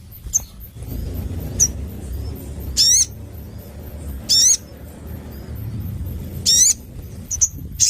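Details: Crimson sunbird singing vigorously with a clear voice: separate short, sharp, high notes, some of them quick upward-sweeping whistled slurs, spaced one to two seconds apart over a low background hum.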